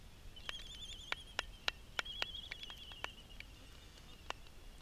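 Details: Adult Black-footed albatross, research-marked with a GPS logger, feeding a chick at Midway Atoll. A thin, wavering whistle holds steady throughout while a dozen dry, irregular clicks and clacks punctuate it.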